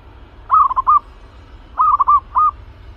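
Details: Zebra dove, an aggressive cage bird readied for trapping, repeating a rippling three-part coo phrase twice, each a stuttered run of soft notes ending in a slightly drawn-out one, over quiet low rumble.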